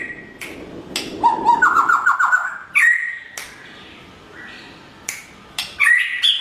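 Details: White-rumped shama, blorok (pied) variety, singing in the morning, used as a training lure to prompt other shamas to answer: whistled notes and a rapid run of repeated chattering notes, sharp clicks between phrases, then clear rising whistles.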